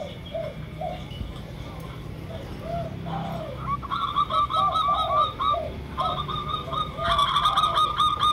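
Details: Lure sound of a local Indonesian zebra dove, perkutut lokal, heard alongside a derkuku: low hoarse coos at first, then brisk bursts of high staccato notes repeated in series, with the deeper cooing phrases returning between them.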